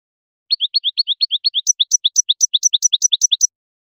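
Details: European goldfinch song used for teaching young birds to sing: rapid bright twittering notes repeated quickly, a run of lower paired chirps shifting to higher sharp notes, clean with no other sounds.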